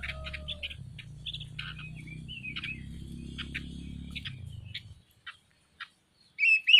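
A bird gives quick, varied high chirps and short whistled notes at an uneven pace, over a low droning hum that fades after five seconds.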